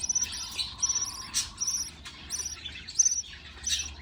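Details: Budgerigar chicks being fed by a parent give high, raspy, buzzy begging calls in short irregular bursts, several per second, with brief pauses between them.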